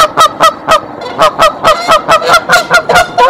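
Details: Mother goose on her nest in Decorah, 27 March 2023, sounding the alarm to summon the father goose: a steady run of loud, nasal honks, roughly two to three per second, each one short and harsh.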